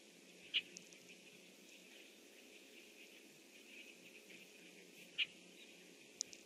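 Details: Red-winged Blackbird calling from its nest tree at about 7:08 am on 25 June 2014: two short, sharp check notes about four and a half seconds apart, over a steady background hiss.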